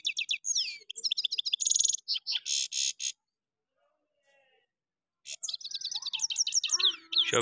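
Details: European goldfinch (Carduelis carduelis) song recorded in Parachinar in 2022, possibly two goldfinches singing against each other: rapid, high twittering with buzzy notes and quick trills in two bursts of about three seconds, separated by a short silence.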